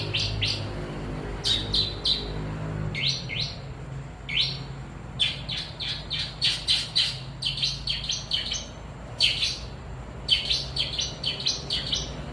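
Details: Caged long-tailed shrike singing a busy, chattering song of sharp, high chirps and short trills in quick bursts, with brief pauses, over a steady low background hum.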